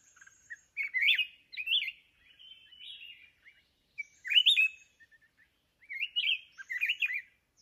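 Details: Wild red-whiskered bulbul in the mountains, drawn in by a caged decoy bird during trapping in Vietnam; clear warbled phrases of rising and falling whistled notes in short bursts, with gaps between, no other sounds.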